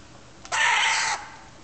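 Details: Two-month-old galahs (rose-breasted cockatoos) on a railing after eating; one gives a single harsh, rasping screech just over half a second long, steady in pitch, against a quiet background.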